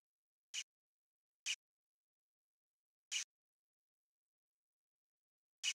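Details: A calling Variable Oriole (Icterus pyrrhopterus, no sexual dimorphism) gives four harsh, dry chack notes, unevenly spaced about one to one and a half seconds apart, with silence between them.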